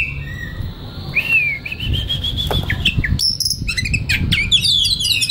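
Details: White-rumped shama (kacer) relaxed song meant for training young wild birds; a long sustained rising whistle followed by quick chirps and rapid trilled notes, over noticeable low rumbling background noise.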